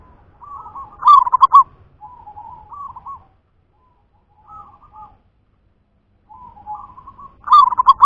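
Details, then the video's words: Local zebra dove of natural stock giving a loud, pulsing rolled coo, then quieter gurgling coo phrases with a long pause before another strong rolling phrase. A faint low rumble is present at times. "Suara perkutut lokal"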